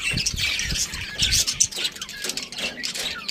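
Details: Budgerigars, a breeding pair with their family, chirping: dense, rapid, scratchy high chatter with overlapping warbles and squeaks, and faint low rustling beneath.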